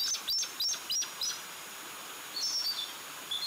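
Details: Bald eagle at Fraser Point, 03-07-2019 just before midnight: a run of thin, high piping notes, each sliding slightly downward, given in quick bursts, then a pause and a second, more broken series.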